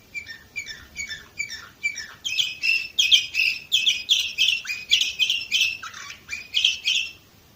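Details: Canary recorded in Varna, Bulgaria, in 2018, with quick repeated chirps swelling into loud continuous trills of rapid pulses, with a dipping note near the end.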